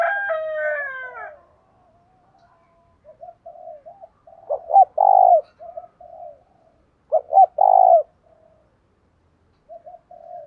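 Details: Decoy spotted dove cooing to stimulate and attract wild males, in a local voice style: a brief harsh harmonic burst opens, then soft low coos build into two loud, deep, mellow coo phrases about three seconds apart.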